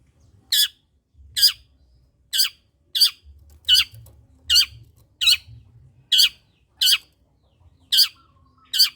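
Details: Long-tailed shrike giving harsh, grating squawks, each dropping in pitch, repeated about once a second roughly eleven times, played to stimulate other shrikes to sing; faint low rumble between calls.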